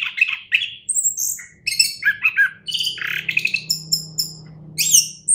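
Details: Champion orange-headed thrush delivering a varied, energetic song of scratchy chirps, squeaky notes and high whistles, packed into rapid bursts that rise and fall across a wide range.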